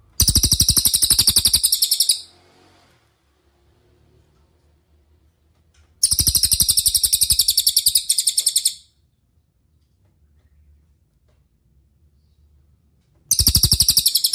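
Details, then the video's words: Cililin master song for training other songbirds like Murai Batu, Cucak Ijo and Kacer: three bursts of fast, high repeated chirps, each about two seconds long, separated by gaps of roughly four seconds with faint low hum. "MASTERAN CILILIN GACOR – Suara Jernih Untuk Murai Batu, Cucak Ijo, Kacer"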